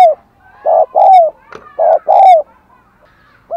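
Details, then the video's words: Decoy spotted dove cooing to call in wild doves: two paired hollow coos, each a short note followed by a longer one that slides slightly downward. A brief click falls between them, and a new coo starts at the end. "Chim Cu Mồi THÚC GÙ Và GÁY GỌI Bổi"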